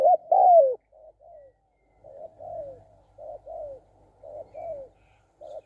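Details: Spotted dove giving a run of soft, falling coos, roughly two per second after an opening pair of loud, drawn-out notes; later notes quieter and evenly paced, with a faint low rumble beneath.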